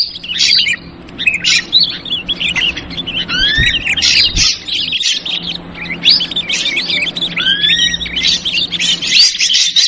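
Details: Ashy drongo lure recording in the 'trucukan ribut' style: busy, overlapping chatter of sharp chirps and harsh notes, with rising and falling whistled slurs near 2 seconds and again after 8 seconds; a faint low hum underneath.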